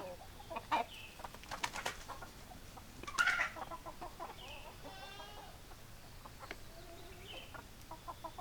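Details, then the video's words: Chicken clucks and sharp clicky notes, with a louder squawk early on. A longer, buzzy, harmonic call follows midway, then scattered soft clucks. "Chicken Sounds Noises Hens Clucking Roosters Crowing"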